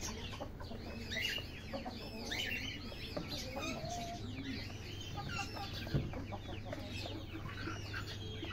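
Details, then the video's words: A busy flock of Golden Buff chickens clucks and chatters, with short overlapping calls throughout and a steady low mechanical hum underneath. "Golden Buff Chicken"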